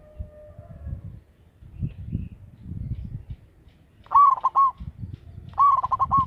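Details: Local zebra dove with a loud voice, used as a lure: after low rumbling background noise, two rolling, stuttering coos arrive near the end, each a bright warbled phrase broken into quick pulses lasting under a second.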